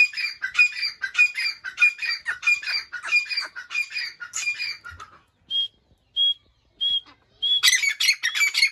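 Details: Breeder pair of Dakni grey francolins (teetar): harsh, rasping multi-note calls repeated rapidly for five seconds, then several short, clear whistled notes at a steady pitch, before the harsh calling bursts out loudly again.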